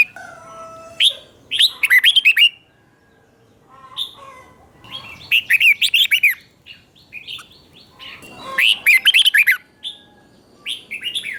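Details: Red-whiskered bulbul doubled song played to train caged birds in Thailand: bursts of quick, rich warbled notes clustered in phrases about every three seconds, with quiet gaps and a few faint whistles between.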